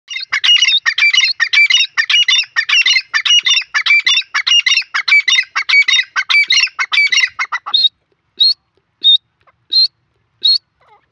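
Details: Grey francolin from India giving a loud, shrill call: a rapid run of ringing, harmonic-rich notes, several each second, for about seven seconds, then breaking into a few spaced, higher single notes with silence between.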